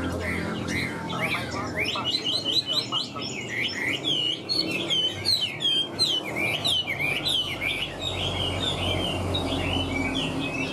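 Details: Captive Chinese hwamei, recently acquired and nearly tame, pouring out fast warbling song of bright whistled phrases, notes rising and falling in quick succession, fading somewhat toward the end.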